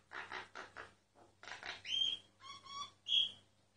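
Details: Myna song recorded without the bird noticing: three harsh buzzy notes, then bright ringing whistles rich in overtones, including a sharp high whistle repeated twice.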